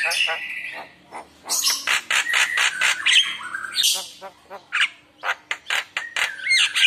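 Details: Javan myna in full chatty lure song, rich in isian fill-in phrases, meant to prompt other mynas to answer: harsh squawks, rasping bursts and clear rising and falling whistles tumbling together in quick irregular succession.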